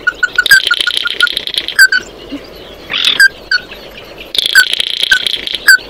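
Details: Oriental white-eye singing to call its flock: sharp clipped notes repeated in quick runs, broken by two bursts of dense buzzy chatter higher up, then scattered single notes.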